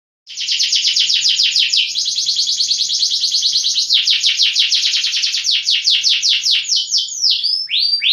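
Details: Fighting canary singing a continuous training song: a long fast high trill with rolling pulses, shifting pitch midway and ending in a few looping whistled notes.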